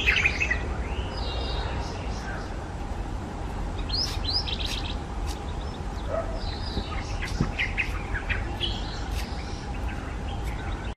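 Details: White-browed bulbul calling in South Goa, India: short, bright, chattering phrases of jumbled notes at irregular intervals over a steady low background rumble.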